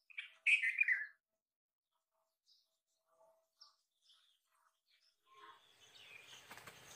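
A bulbul gives one loud, bright, bubbly phrase that slurs downward, followed by a few faint scattered chirps and a rustling noise near the end.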